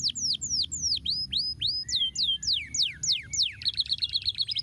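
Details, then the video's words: Canary singing, played to stir lazy canaries: looping curled whistles, then long falling slides, ending in a fast, buzzy high trill; low hum in the background. "estimula muito rapidamente o som do chilrear dos canários preguiçosos"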